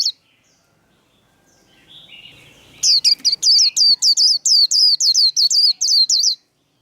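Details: White-eye's 'líu' contest song: after a faint lead-in, a brisk string of about thirteen sharp, bright whistles, evenly spaced and loud.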